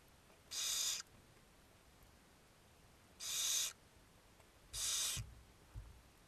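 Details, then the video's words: Barn owls at feeding time on a webcam, 2 June 2022, give three harsh, hissing begging screeches, each about half a second long and spaced one to two seconds apart, with a soft knock near the end. "Feeding at the Barn Owls"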